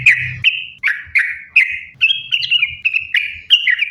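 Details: Sooty-headed bulbul singing as a lure to prompt other bulbuls: bright whistled phrases, each starting with a sharp note then a falling slur, repeated about every third of a second, clean background.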